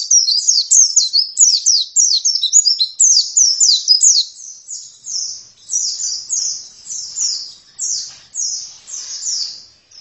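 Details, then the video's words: Oriental white-eye (pleci) in energetic song, a dense run of high twittering and chirps at first, then steadier repeated slurred notes at a slightly softer level. "Pleci langsung gacor dalam 1 menit"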